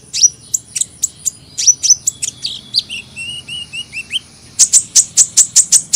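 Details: High sharp chips from a sunbird give way to a series of short falling whistles, then a rapid, even string of piercing ticks closes the phrase.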